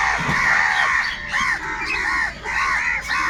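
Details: Crows fighting for food give loud, hoarse, arched caws in quick series, with short dips of near-quiet between bursts. The calls overlap into a steady, raucous clamour.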